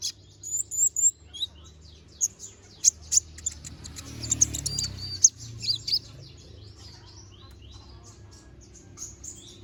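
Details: Little spiderhunter in full lively song, sharp-voiced: scattered high, clipped chirps and thin whistled notes, separated by short pauses, with a soft low rumble swelling briefly midway.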